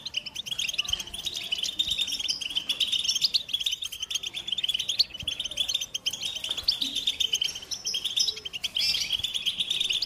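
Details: Long run of American goldfinch song: rapid, high, twittering notes and buzzy trills packed tightly together, varying a little in loudness with no real pause.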